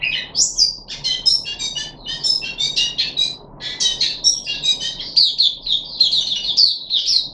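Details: A captive puff-backed bulbul, recorded 14 July 2021 during deworming, giving varied bright whistles, stuttering chips and warbled runs in quick succession, with a soft hum behind.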